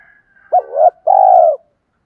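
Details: Spotted dove giving a luring, provoking call aimed at other doves: a single low two-part coo, a wavering rising note running into a steady, drawn-out mellow coo.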